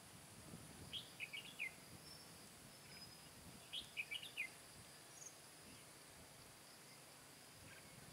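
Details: Red-whiskered bulbul used as a caged decoy during trapping on 15 July 2017, singing to lure and fight wild birds. Two short whistled phrases of four or five quick notes, about three seconds apart, over a steady insect hiss.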